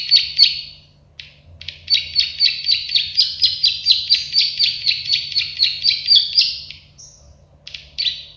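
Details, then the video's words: Plain prinia, locally called prenjak sawah or klik-klik bird, recorded as a tutor track for training songbirds: a fast run of buzzy, clicking high notes, about four per second, lasting some five seconds, with short bursts before and after. "Masteran burung prenjak sawah klik-klik"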